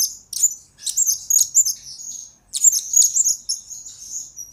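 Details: Blue-crowned hanging parrot recorded as lure and master material for training birds; thin, very high-pitched chirps and squeaky notes in two quick bursts separated by a short pause, in a quiet setting.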